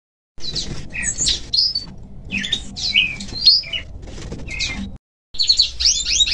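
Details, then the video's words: Small songbird singing, described as nature sounds: short chirps and twittering phrases with whistled, sweeping notes, in bursts separated by brief pauses, including a short silent gap, over a low background rumble. "Canto de passarinho"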